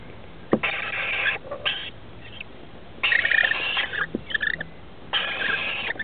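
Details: Rainbow lorikeets at a roof nest on 23 October 2013, where parents feed two chicks aged 21 and 17 days: three long, loud, harsh rasping screeches of about a second each, with gaps of quieter chatter between.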